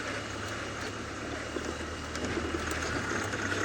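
A steady, rumbling engine drone with broad rushing noise throughout; no animal call stands out.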